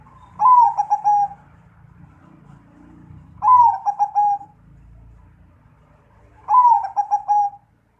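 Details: Zebra dove with a 'suara gede' deep-voiced song: three loud, low, rolling cooing phrases spaced about three seconds apart, with a low rumbling and humming background throughout.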